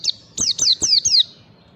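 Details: High, thin white-eye (pleci) whistles in the 'ngalas' style from a training lure: five clear notes, each dropping sharply in pitch, the last four run together evenly in just under a second.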